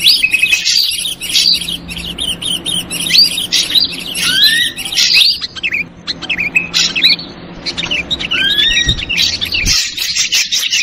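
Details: Chattering lure call of the ashy drongo, mixing harsh rasping bursts with rising slurred whistles and brief chirps in an uneven, busy sequence.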